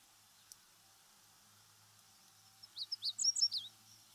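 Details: Meadow Bunting in Japanese farmland, grassland or waterside habitat: after nearly three seconds of quiet, a quick burst of about eight high, sharp chirping notes in rapid succession, with a faint low hum underneath.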